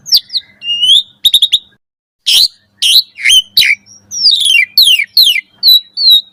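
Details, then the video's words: Morning song of an Asian pied starling used to make caged birds sing: rising whistles and clicks, harsh noisy bursts, then evenly spaced slurred descending notes. "Pancingan Jalak Suren Gacor Pagi Hari Ampuh Buat Masteran Burung Jalak Agar Gacor Full Isian Mewah"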